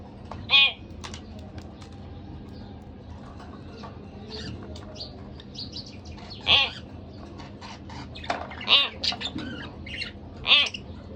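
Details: Two pet budgerigars calling: loud harsh harmonic squawks spaced every few seconds, with softer clicks and twittering chatter in between over low hum.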